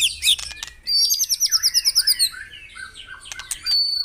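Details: White-rumped shama song played to stimulate caged birds to sing in the morning: a bright scratchy opening, then a run of about ten quick high chirped notes, followed by lower liquid whistles and sharp high squeaks.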